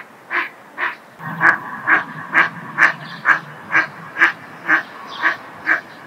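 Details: At a breeding pond in mid-April, an eastern spot-billed duck gives a steady run of about twelve harsh, nasal quacks, roughly two per second, over a faint background hum.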